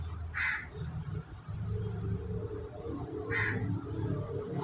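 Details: Crow heard while a group of white pigeons forages and pecks at food: two loud, rasping caws about three seconds apart over a steady low hum of background noise.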